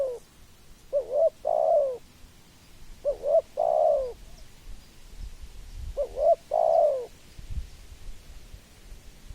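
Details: Spotted dove calling three phrases of short wavering coos and a longer falling coo, the phrases spaced roughly two to three seconds apart, against a quiet background.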